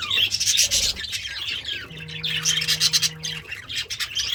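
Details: Budgie kept as a pet, content while eating greens, gives a rough, squeaky warbling chatter of quick high notes, over a low steady hum that starts partway through.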